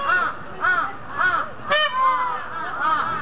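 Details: A female and a male peafowl at a zoo call back and forth, trading short, nasal, honking calls about twice a second; a louder, harsher cry breaks in midway, followed by softer answering notes.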